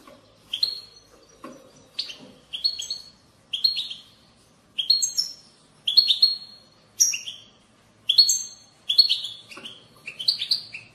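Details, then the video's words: European goldfinch bitbita, a song used to prompt goldfinches to sing. Rapid chirpy phrases recur about every second, each a quick high twitter with sliding notes. No other sounds intrude. "أقوى بتبتة لتحفيز الحسون على التغريد"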